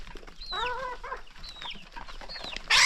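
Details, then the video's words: Hungry chickens at their first meal of the day on a countryside farm. A rich, nasal two-part squawk is followed by a few high, falling chirps, and then a sudden loud hiss of noise at the end. "Morning Feeding for Hungry Chickens"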